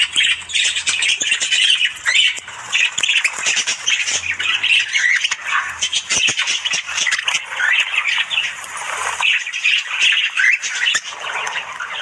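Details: A flock of budgerigars in the morning keeps up a loud, unbroken stream of grating squawks, clicks and warbled chirps from many birds at once.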